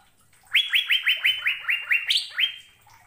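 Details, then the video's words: ['Asian fairy-bluebird song recorded to prompt caged birds to sing: roughly nine swift, rising liquid whistles in an even run, one higher note near the end.'] "BURUNG CUCAK BIRU GACOR MP3 BARU 2022"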